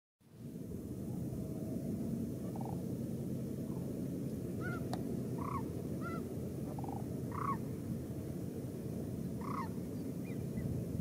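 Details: Migrating sandhill cranes at Willcox, Arizona give distant rolling, trumpeting calls every second or two, several birds overlapping, above a steady low roar of wind.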